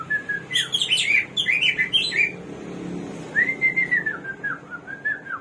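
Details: Hwamei (samyong, garuwa), a bird of 1001 voices, singing: one level whistle, then a quick series of warbled, rising and falling notes, followed by a long, wavering run of clear descending whistles.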